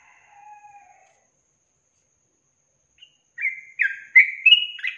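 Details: Yellow-vented bulbul from a songbird training recording of long trills: near silence, a faint thin whistle, then a late burst of rich, gurgling whistled notes rising in loudness over the final second and a half.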